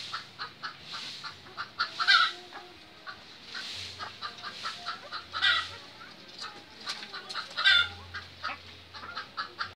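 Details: A pair of Lady Amherst's pheasants; harsh, raspy clucking notes, with louder grating bursts every two to three seconds over a faint low hum.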